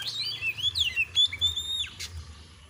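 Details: Oriental magpie-robin (kacer) from a clear masteran recording for exciting caged birds. It sings fluid whistled phrases that slide up and down, punctuated by a sharp high note near the end, over a low hum.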